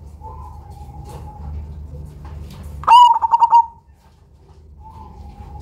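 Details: Cemani zebra dove with a big voice, used as a lure, giving one phrase: a sharp onset followed by a quick burst of about six short rhythmic coos, with soft steady notes before and after.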